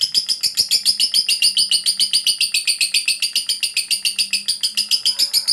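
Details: A fighter lovebird's long ngekek, played to provoke quiet lovebirds into calling back: a steady, fast stream of scratchy high notes, about three and a half per second, continuing without a break.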